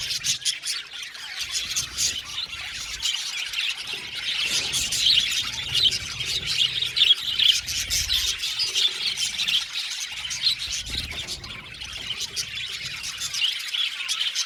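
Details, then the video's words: Budgerigar colony of 70 pairs in an aviary: a dense, unbroken wash of high chirps, squeaks and warbles from many birds at once, with soft low thumps and rustling underneath. "Beautiful Budgies chirping sound"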